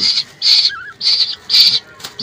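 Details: Captive baby birds, oriole and koel chicks, being hand-fed grasshoppers at night indoors; harsh, raspy hissing bursts repeated about every half second, with a brief soft warble between them and a person coaxing quietly.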